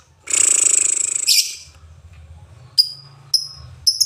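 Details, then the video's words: Indonesian lovebird with the ngetik, ngoek and ngekek styles: a shrill, fast buzzy rattle for about a second, then sharp high ticks over a low, steady rumbling hum in the background. "LOVEBIRD NGETIK NGOEK LANJUT NGEKEK"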